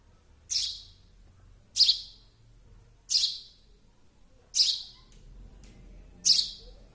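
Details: Baby sparrow calling: sharp, high chirps with a wide noisy spread, repeated about every one to one and a half seconds, each short with a fading tail; faint low rustling between calls.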